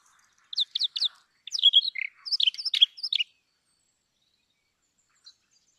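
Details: Brown rock chat giving a short burst of quick, high chirped and twittering notes over about three seconds, with notes sliding up and down, then silence and one faint later chirp.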